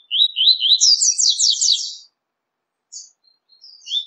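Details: Double-collared seedeater, in a mix of five songs for stimulating kept birds: rising chirps flow into a rapid, buzzy trill of high slurred notes lasting about two seconds, then softer fragments.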